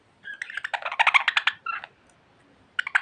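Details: Talkative pet budgerigar giving a short burst of rapid clicking, buzzy notes, a brief pause, then a few more chattering notes.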